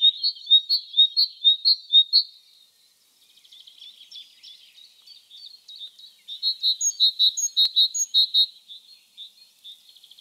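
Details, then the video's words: Great tit (Parus major) singing in spring in the wild. Loud paired whistled notes repeat rhythmically, then a stretch of soft chattering. Then another run of ringing two-note phrases, with a sharp click in the middle. "GREAT TIT singing"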